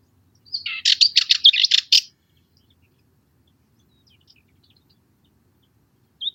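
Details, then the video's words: Cyprus Warbler song from Cyprus scrub: one dry, monotonous rattle of rapid scratchy notes lasting about one and a half seconds, followed by silence and a single faint high chip near the end. "Cyprus Warbler - Songs"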